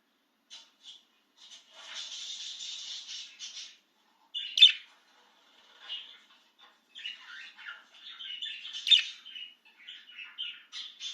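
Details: Excited budgerigar let out of its cage chattering almost continuously, mixing long buzzy scratchy stretches, sharp clicks and squawks, and rapid warbled notes, each phrase running straight into the next.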